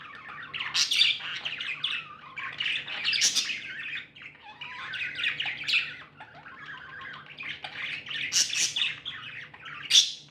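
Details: Contented pet budgies chatter in waves of warbled, scratchy chirps and thin tweets, pausing briefly near the middle, ending with a sharp loud squeak.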